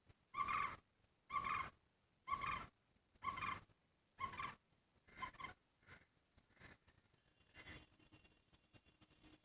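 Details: Green barbet that comes daily to a house window, singing and knocking on it, gives a loud, hollow knocking note about once a second, fainter after five calls, over light background hiss.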